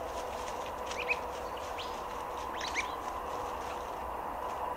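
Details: A group of White-browed babblers working through leaf litter and fallen branches on the ground in Victoria in June 2020. Scattered brief, sharp, high chirps come every second or so against a constant rushing hiss.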